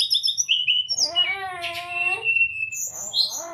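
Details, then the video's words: Training song of a brown-chested jungle flycatcher for caged birds slow to sing: quick high whistled notes, then a long throaty harmonic phrase, ending with rising thin whistles. "pancingan srdc agar cepat buka paruh..dan masteran srdc mudah di tiru ,terapi srdc malas bunyi"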